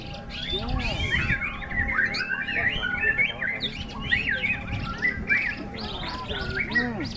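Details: Competing white-rumped shama holding its song through strong wind at a bird-singing contest, pouring out fast, varied whistles and chattering slurred notes in dense bursts, with other birds singing alongside and a steady low hum.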